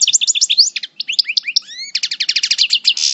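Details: In moult, a parva European goldfinch from El Bordj sings coupleur style: tumbling twitters and upward-sweeping whistled slurs, then a fast even rattle of repeated notes closing with a buzzy rasp.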